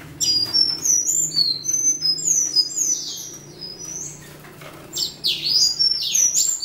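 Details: Western citril singing to defend its territory: rapid high thin whistles and twittering notes, some sliding downward, in a dense continuous stream with brief pauses, over a low steady hum.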